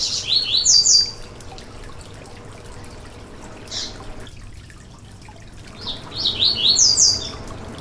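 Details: Yellow-bellied seedeater (coleiro baiano) song meant to warm up a bird for singing: a burst of high, sweet, rapidly tumbling whistled notes, a short pause with a single note, then another lively high phrase.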